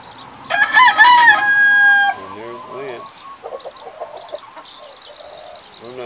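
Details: On a rainy morning on Hawaii's Big Island, a wet domestic rooster among hens and chicks gives one loud, strained crow of about a second and a half, followed by softer clucking and low chicken murmurs.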